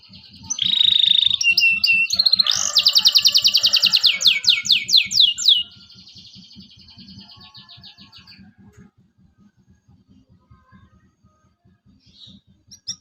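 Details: Local canary singing as a lure for young learners: a buzzy trill, then a loud run of rapidly repeated sweeping notes over about four seconds, tailing off into soft chatter and near quiet, with constant low thumping.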